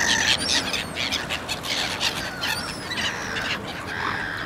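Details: Several common (mew) gulls in Ukraine call at once: high, squealing mews and short squawks overlap in a busy chorus, some notes rising and falling.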